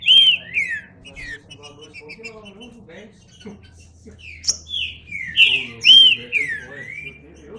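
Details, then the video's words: Green-winged saltator giving separate bursts of clear, ringing whistles with short downward slurs. Quieter gaps come between the bursts, and faint clicks sound in the background. "Trinca Ferro (cantando)"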